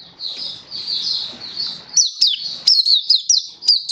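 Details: Oriental white-eye in song display, 24 February 2023, opening with a soft, continuous high warble over light hiss. It then shifts to crisp, separated downslurred chirps.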